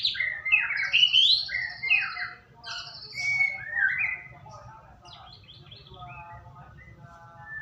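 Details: Shama song played as a lure to encourage singing: loud bursts of varied whistles, trills and buzzy notes for about four seconds, fading into soft scattered notes with a low background hum.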